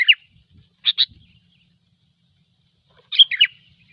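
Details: Gecor song of a sooty-headed bulbul, a recording used for luring: a slurred note, a crisp doubled chip, then after a pause a longer, rich tumbling phrase of whistles.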